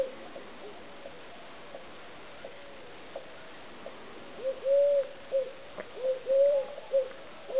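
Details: Eurasian collared dove: after about four seconds of faint, distant cooing, two clearer three-note coo phrases follow, a short note, a longer drawn note and a clipped ending, over a light hiss.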